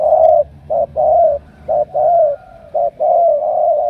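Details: Strong-cooing spotted dove from Cà Mau gives a loud, mellow coo series: long level notes alternating with short clipped ones, about one per second, with a faint low hum behind.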